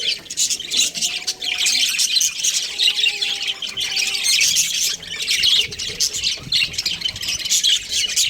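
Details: Budgerigar breeding pair chattering in high, harsh squawky chirps, steady and busy, with a few faint drawn-out lower whistle-like tones in the first half.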